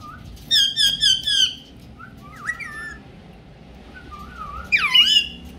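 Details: Pet ringneck parrot speaking in Urdu and Hindi; a quick burst of rasping chattering notes, soft word-like murmurs, then a loud harsh rising squawk near the end.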